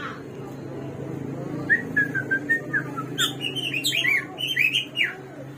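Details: Hwamei, the samyong or garuwa of 1001 voices, starts with a few soft whistles, then builds into an energetic, fast-changing string of high, twisting whistled phrases over a faint background hum.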